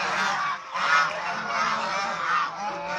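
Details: Domestic swan geese, the Chinese swan goose, in a group; raucous harmonic honks overlap without pause, swelling loudest around one second, in a short three-second burst.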